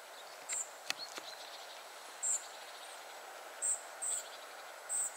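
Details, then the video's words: Family of spotted flycatchers: short, piercing high notes given singly or in close pairs at irregular gaps, one sharp click early on, over steady quiet background noise. "Family of spotted flycatchers / Rodzina muchołówek szarych"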